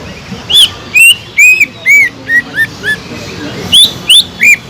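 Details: Green leafbird singing to stir dull, unaggressive leafbirds: bright, looping whistles rising and falling, repeated at an uneven pace of roughly two or three notes a second, with a brief pause before a final trio.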